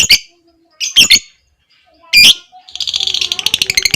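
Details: Lovebird of fighter type, ngekek style long trill with ticking ngetik notes, meant to prompt other lovebirds to sing: three sharp shrill chirps, then a fast rattling high trill begins in the last second.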